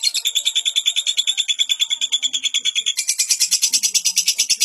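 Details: Lovebird singing a long, unbroken tutor song meant for training young lovebirds. Shrill, piercing chirps repeat steadily at about three per second. Partway through, the chatter shifts to a harsher, higher rattling series.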